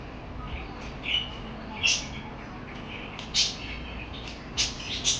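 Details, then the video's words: Parakeets twittering with quick high chirps and short buzzy squeaks in uneven bursts, several louder notes clustered toward the end, faint background hiss throughout. "Lovely birds Chirping Sounds Parakeet lovely birds"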